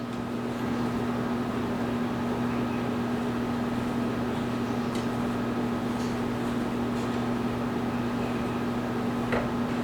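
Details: A steady indoor mechanical hum, like a microwave or fan, with constant tones and faint scattered clicks; no animal voice is heard.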